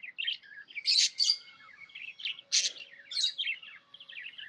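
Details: Budgie chirping happily: soft twittering warble broken by two loud, harsh squeaky bursts, then rippling chirps continuing to the end.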